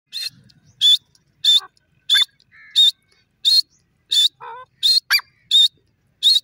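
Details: Grey francolin (desi teetar) calling: loud, high, ringing notes in short bursts repeated about every half second to second, with a few lower, softer chirping notes between them; quiet background.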